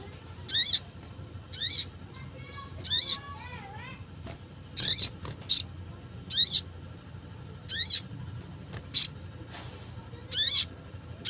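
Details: Wild sunbird call for attracting wild birds: a long string of sharp, high, buzzy notes about every second, plus a short lower warbling trill partway through, over low steady hum.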